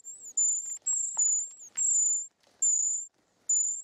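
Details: Nestlings of short-toed treecreeper being fed: very high, thin, drawn-out hissy whistles of about half a second, separated by short gaps, with faint knocks and rustles below.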